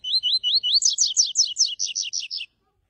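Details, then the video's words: A Double-collared Seedeater sings the "tui tui" song type: a high, clear phrase of four rising slurred whistles, then a quick run of about a dozen buzzy, falling double notes, lasting two and a half seconds. "PAPA CAPIM COLEIRO TUI TUI"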